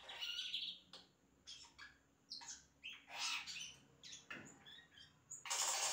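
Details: Yellow-rumped cacique song of imitations, a varied jumble of harsh squawks, raspy bursts and brief high whistles following one another with little pause, ending in a loud noisy burst.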